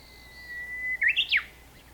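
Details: Song of a Japanese bush warbler on 26 May 2019, opening with a drawn-out even whistle, then breaking into three rapid notes that climb and then sweep sharply down, with a quiet hum behind.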